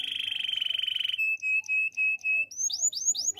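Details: A Waterslager canary delivers its training song: a rolled trill, then a row of short clear whistled notes on one pitch, ending in rising and falling swooping whistles.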